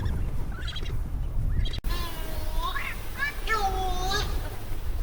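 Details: Cory's shearwater (Calonectris borealis), call.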